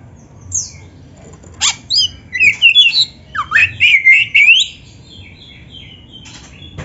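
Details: Oriental magpie-robin (kacer) singing vigorously, used to train other magpie-robins: high thin notes, then a fast run of bright whistled and slurred phrases, ending in faint soft trailing notes amid low background hum.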